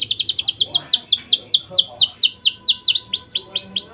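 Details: ['Canary in full song, used as a lure to stir breeding drive in young canaries: a fast run of bright downward-sweeping chirps, about two per second, ending in higher rising notes.']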